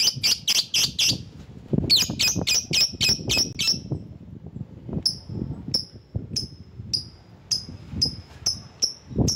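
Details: Lovebird calling to draw rivals, a bird-lure recording: fast runs of sharp high chirps, then a string of separate clipped ticking notes about every half second.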